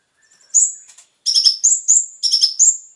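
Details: Van Hasselt's sunbird (konin) song, played to lure kept birds into singing: a faint high note, then very high, thin, bright phrases of rapid trills and sliding whistles in short bursts with brief pauses.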